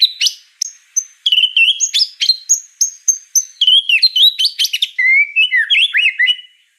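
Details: High-pitched white-rumped shama 'gacor' singing, sharp separated chip and whistle notes that speed into a dense chattering run, then descending slurred phrases; clean recording without other sounds.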